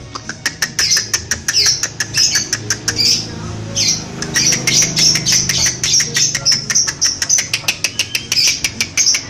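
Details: Lovebird from Pemalang, Central Java, Indonesia, singing a long continuous run of sharp, rapid ticking chirps at about five per second, like fast chattering, over a low background hum.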